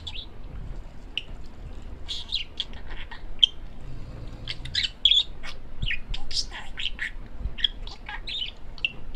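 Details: Pet male parakeet chattering at home: rapid high chirps and short warbled notes in quick irregular bursts, with faint low room noise beneath.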